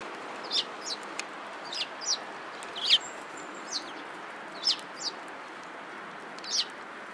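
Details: Several sparrows gathering at feed at a Tenmangu shrine on 24 March 2017. They give short, high, sharp chirps singly and in pairs at irregular intervals over a steady hiss of background noise.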